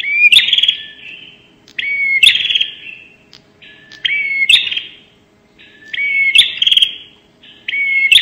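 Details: Bar-winged prinia 'nembak' lure call: harsh buzzy bursts with rising whistled slurs and sharp clicks, repeated about every two seconds, five to six phrases in total.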